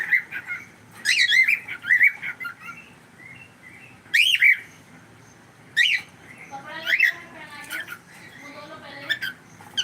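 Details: Pet cockatiel mixing soft warbled chirps with loud, harsh rising screeches, the screeches coming in separate bursts roughly two seconds apart.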